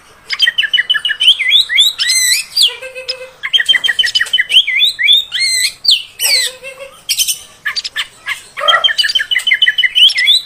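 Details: Female oriental magpie-robin sound for provoking males: long rapid phrases of repeated whistled notes and looping slurs, broken by harsh bursts and low nasal notes, fast and continuous throughout.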